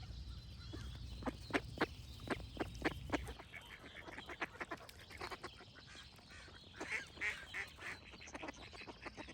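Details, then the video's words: Quick runs of harsh duck quacks repeated several times a second, with birds singing high twittering phrases in the background and a low rumble fading after three seconds. "Cute Duck Quack Sound Effects with Birds Singing"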